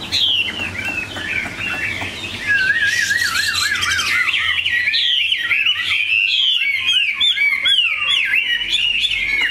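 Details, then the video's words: Chinese hwamei, a big pure-bred pet prized for its voice, singing a long, loud sequence. Wavering looping whistles become louder and fuller partway through, then break into quick sharp trills. "Mi họa thuần, bộ to, chất giọng cực hay"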